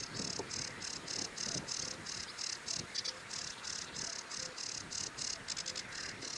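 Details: Sedge warbler song: a long run of harsh, buzzy chattering notes repeated in quick, uneven bursts, high-pitched throughout, over a low rumbling background.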